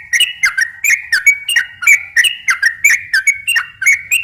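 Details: Prolific sooty-headed bulbul song in slow and long rolling style, played to attract other bulbuls: liquid whistled notes rising and falling, delivered in quick uneven bursts without pause.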